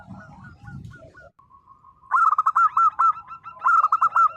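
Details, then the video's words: Song of a vocal local zebra dove, played to trigger quiet birds into calling: soft spaced coos and a low rumble at first, then two loud, rapid, bubbling coo bursts with clipped, slightly rising notes. "perkutut lokal gacor _suara nembak perkutut lokal bisu_ 100% LANGSUNG NYAUT"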